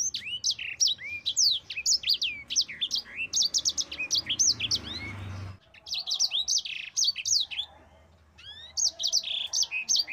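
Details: Mozambique canary giving a long rolling song used to train other songbirds; rapid high chirps, upsweeping and downslurred notes in dense unbroken runs, with a short lull near eight seconds before the stream resumes.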